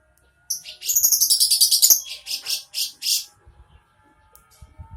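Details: Lovebird producing a quick series of piercing high chirps that slows into a few spaced notes, with faint low tapping sounds afterwards.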